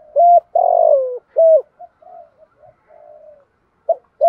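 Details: Decoy spotted dove calling in a phrase of strong low coos: short note, long drawn coo sliding slightly down, short note, then softer trailing coos and a new phrase starting at the end.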